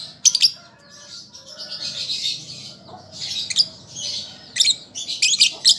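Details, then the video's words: Juvenile lovebird learning its song, for encouraging birds to respond: continuous hissing, buzzy chatter broken by sharp squeaky chirps, which grow busier toward the end. "Pancingan Lovebird Paud Belajar Bunyi Ampuh Langsung Nyaut"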